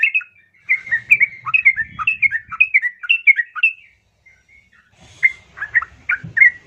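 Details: Female yellow-vented bulbul calling a male, a lure for caged bulbuls: a rapid chattering phrase of warbled notes, a pause of about a second, then a few more chirps.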